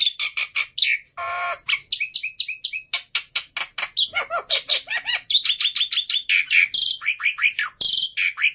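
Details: Black-winged myna in fighter mood, a tutor bird for silent starlings, pours out fast rhythmic chatter mixing harsh buzzy squawks and sharp downslurred whistles, continuous and loud.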